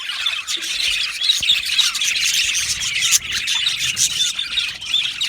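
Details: Aviary colony of budgerigars chattering together, overlapping bright chirps and brief harsh squawks packed tightly, a busy high-pitched babble that never lets up across the few seconds.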